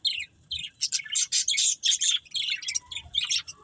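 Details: A breeding pair of budgies chirps in a rapid run of short, sharp, high tweets, about a dozen separate notes in under four seconds.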